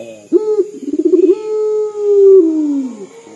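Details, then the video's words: Local puter dove, a lively caller in dor style, with a voice said to sound like crying: a short coo, a burst of quick throbbing pulses, then a long drawn-out coo that sags at its end. A faint steady high whine runs throughout. "PUTER LOKAL GACOR DOR SUARA SEPERTI MENANGIS"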